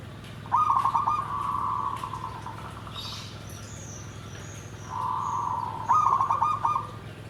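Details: Perkutut (zebra dove) song, nggandem gedhe garing style: a smooth, steady mid-pitched coo runs into a pulsed trill. After a pause a second sustained coo leads into another rolling phrase. A faint high chirp is heard midway.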